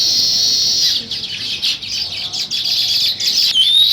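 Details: Morning chorus of many sparrows chattering at a weaver nesting site in the village, continuous high buzzy chirps with a brief lull, ending in a clear rising whistled note.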